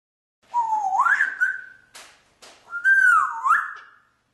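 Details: Talking parrot from Austria, known for singing and talking in English and German, whistling two tonal phrases: the first rises from low to high and holds steady, the second starts high, dips, then rises again, with brief clicks between them.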